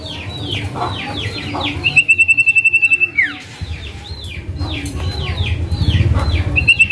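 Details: Male common iora (cipoh) calling 'name', played as a lure for a quiet bird. Quick falling whistled notes, then a steady pulsed trill about one second long dropping into a swoop, then more falling whistles and another trill start.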